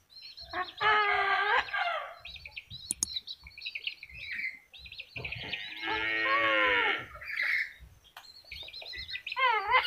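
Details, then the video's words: Talking yellow-crested cockatoo producing harsh, voice-like squawks and harmonic syllables in bursts, a long drawn-out sung tone near the middle, and a short rising-falling wavering call at the end. "kakatua jambul kuning bisa bicara"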